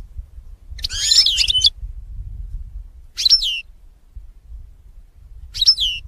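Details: Goldfinch sounds used to lure birds for trapping: three loud, liquid, twisting calls about two seconds apart, the first a longer tangled phrase, over low rumbling noise.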